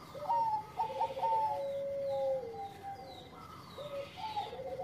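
A zebra dove sings a run of soft, bubbling, staccato coos, the phrases repeating in quick bursts.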